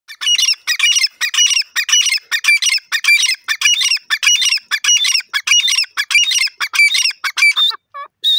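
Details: Grey francolin calling: loud, harsh, squawking notes in quick repeated phrases, about one and a half per second and fairly steady, running for nearly eight seconds before two final higher squeaks.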